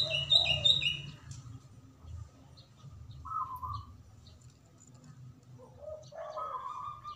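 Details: Local Indonesian zebra dove, described as a strong, loud singer with a natural local voice, cooing: low mellow coo notes in short phrases, with a brief burst of high bright chirps from another bird at the start.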